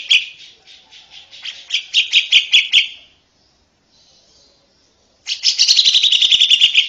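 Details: A female Oriental white-eye chatters in ngeriwik style. A series of quick, high chips builds, stops for about two seconds of near silence, then resumes as a dense, fast, slightly descending trill.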